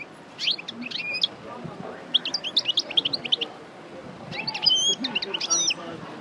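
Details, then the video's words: Parva goldfinch coupleur fresh from the moult, rehearsing its song in three bright bursts of quick, high, tinkling twitters separated by short pauses, with low background hum. "Chardonneret Parva Coupleur Sortie De Mue Repasse Le Chant"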